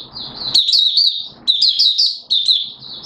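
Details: High, rippling warble from a Malaysian mata puteh (Oriental white-eye) in 'buka sing' mode, Singapore, 29 March 2023, warm humid weather and sudden showers; three quick bursts of bright slurred notes after a muffled rushing start.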